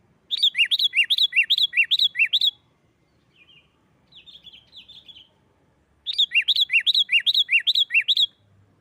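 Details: Noisy 'nggaruda' fighting song of a sooty-headed bulbul, used to make rival bulbuls sing: two quick runs of bright, slurred whistles about two seconds long, with a soft, scratchy warble between them.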